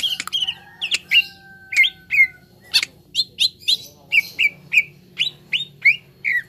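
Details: Green leafbird (cucak ijo) song used as training audio to get birds singing: a lively run of short, sharp whistled notes, many sliding up or down, repeated roughly every half second, with faint clicks and low hum beneath.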